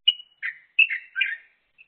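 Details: Crested myna pair, one with more obvious white head feathers, calling back and forth while one eats and the other keeps watch; loud whistled and chattering notes, four quick bursts in under two seconds, then one faint note.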